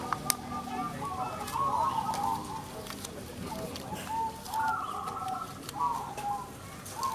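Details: Competing zebra doves, local crossbred perkutut, at a singing contest: separate rolling coo phrases rise and fall, with short gaps between bursts and other birds cooing behind, plus scattered clicks.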